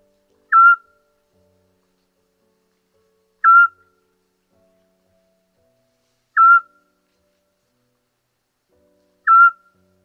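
A Eurasian Scops Owl gives a short, mellow whistled note that dips slightly in pitch. It repeats steadily about every three seconds against a quiet background.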